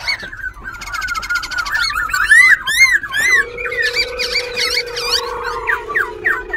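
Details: Caged white-browed laughingthrush in Tân Túc, Bình Chánh, Ho Chi Minh City, dancing tail and wings while changing voice; a buzzy trill, then loud looping whistles and rapid chattering, with a steady low drone later.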